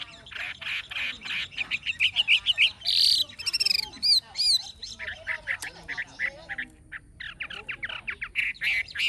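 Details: A mature Chinese hwamei taken from the wild, with a forest-style voice and fig-leaf tail, delivers a loud, varied song. Rapid whistles mix with harsher chattering notes and high, looping slurs, almost without pause.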